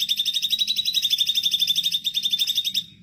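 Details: Sooty-headed bulbul (cucak cungkok) singing 'gacor' as a master for training songbirds: steady rapid rattle of high bright notes, roughly four per second, fading out at the end.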